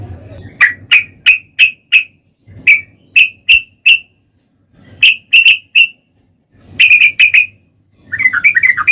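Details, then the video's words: Sooty-headed bulbul lure song to prompt other bulbuls to sing: crisp short chirps in separate bursts of three to five, with gaps between, ending in a fast chattery phrase. "trucukan gacor ROPEL PANJANG pancingan trucukan agar bunyi"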